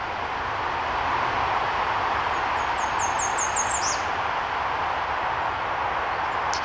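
An American Redstart gives a brief, very high series of five or six thin, quick notes ending in a sharp downslur, over steady loud rushing background noise.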